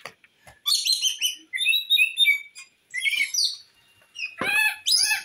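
Rainbow lorikeet giving loud, harsh screeching chatter in rapid bursts, shrill and high-pitched, with brief pauses between volleys.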